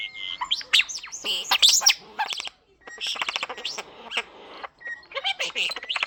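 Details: Talking common starling, a pet kept at home, pouring out loud, busy mimicry: dense rattling clicks, squeals and rising whistled notes in bursts separated by two short pauses.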